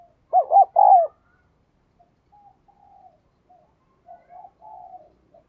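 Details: Spotted dove phrase of two rapid rounded notes and a sustained, sliding coo. It is followed by faint murmuring coos in the background.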